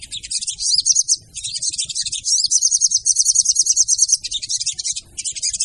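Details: Female sogon call used as a lure: dense, high-pitched chattering twitters in rapid bursts, with a brief pause near one second and fast rhythmic trills through the middle.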